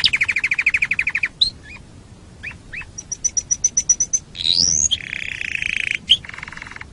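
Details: Canary singing as a tutor recording for teaching other birds: a quick mid-pitched trill, scattered chirps, a high rapid trill, a sharp rising sweep, then a buzzy rattling phrase and brief chips.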